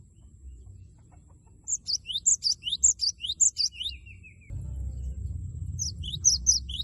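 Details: Loud, actively singing cinereous tit, its 'wucit wucit' song used to goad a rival into answering: a burst of rapid high three-note phrases, then a buzzy descending trill, a stretch of rumbling noise, and the phrases starting again.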